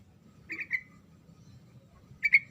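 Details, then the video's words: Sooty-headed bulbul singing to rouse a silent bird into answering: two short bursts of bubbly, whistled notes, the second louder and clearer, separated by a quiet gap with low background hum. "SUARA TRUCUKAN GACOR NGEROL SEPERTI INI PALING DISUKAI TRUCUK BISU LANGSUNG NYAUT RIBUT"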